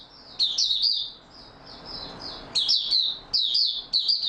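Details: Steady-form song of an Oriental white-eye dated 28 February 2022: bright, high jumbled twittering bursts, a softer sustained thin warble between them, then three quick chattering phrases close together.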